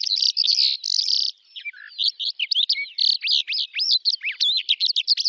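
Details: Calandra lark song from the Astrakhan steppe, Russia, recorded in May 2017: a fast, continuous jumble of scratchy trills, sharp chirps and quick upslurred whistles, briefly dipping lower near the start, with no background noise.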